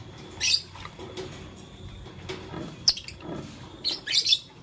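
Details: Lovebirds, blue, lutino and green, playing with a flower: a few scratchy high chirps at the start and a double chirp near the end, with faint clicks and low hum between.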